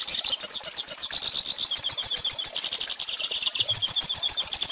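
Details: Goldfinch song for teaching young birds, made of quick repeated high chirps and twittering trills delivered in an unbroken, energetic stream.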